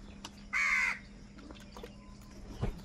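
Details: A single loud, harsh caw from a crow in a fight for food, then quiet with faint taps and a soft thump.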